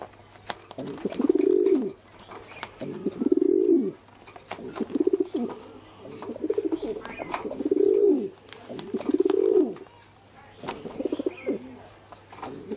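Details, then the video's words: Pigeon cooing over and over, six or so deep rolling phrases at regular intervals of around one and a half to two seconds, with scattered clicks and light knocks behind. "เสียง นกพิราบ"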